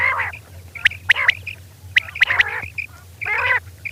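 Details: Female rain quail (batair) calling at night: grating, buzzy notes mixed with short high whistled chips in quick uneven clusters over a low background hum.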